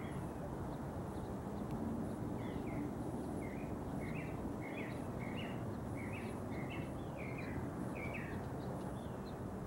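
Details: Distant mockingbird in a neighbour's tree, about 50 yards away, singing early in the morning: a long run of brief chirped notes repeated in pairs and small groups every half second or so, over steady low rumbling noise.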